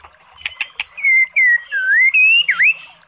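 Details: White-rumped shama lure song for a sluggish bird: a few soft clicks, then loud sustained whistles that dip and climb in slow steps, closing with a quick down-up swoop.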